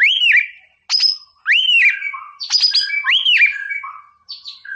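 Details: Energetic white-rumped shama song used as tutor recording to rile opponents: loud arched whistles repeated with sharp high chips and rich warbling between them, clean with no other sounds.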